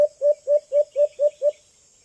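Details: Juvenile white-eared brown dove, called alimokon, in a short burst of seven soft, low, rounded notes spaced evenly about a quarter second apart, with a constant high hiss behind.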